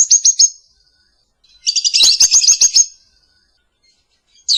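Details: Morning lovebird song used as a master and lure recording: a short high trill, a pause, then a longer harsh chattering burst with clicking pulses, then silence.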